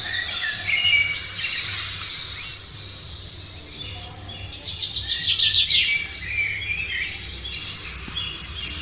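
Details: Chorus of morning birds, overlapping high chirps and trills that rise and fall in loudness, with bursts of rapid twittering near the middle.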